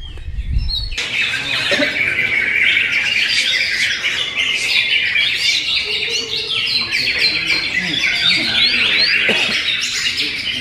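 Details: Greater green leafbird (cucak hijau) delivering its classy song material: after a low thump at the start, a dense, continuous run of bright chirps, squeaky notes and quick rising whistles, high-pitched and varied, with no pause.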